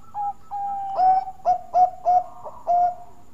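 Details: Bangkok-type zebra dove singing as a lure to draw other doves into song: a mellow, steady cooing series of short rounded notes repeated about every half second, preceded by softer drawn-out coos.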